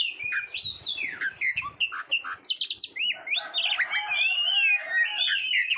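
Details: Oriental magpie-robin, called kacer, singing for training competition birds: rapid varied phrases of falling and rising whistles, quick chips, then a denser twittering stretch.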